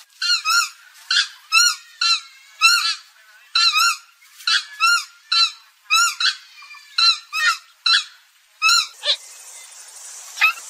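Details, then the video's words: Purple gallinule (kalim) sound used to lure birds for hunting: loud, honking, harmonic calls in uneven bursts of two or three notes, followed by a hiss near the end. "কালিম পাখির ডাক। Purple Gallinule । Swamphen"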